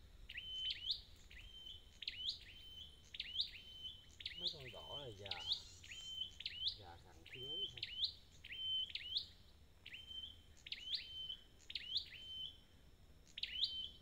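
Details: A wild-caught red-headed flowerpecker, recorded for restoring its call, gives sharp, high, ticking chirps, each ending in a quick upward flick, about one per second; faint voices are heard briefly in the middle.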